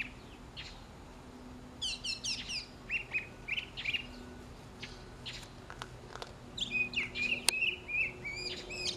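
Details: Mockingbird singing during morning feeding alongside sparrows, Inca doves, a cat and a parakeet: bright varied phrases, quick stacked chirps and sharp whistled notes in bursts every second or two over a faint low hum.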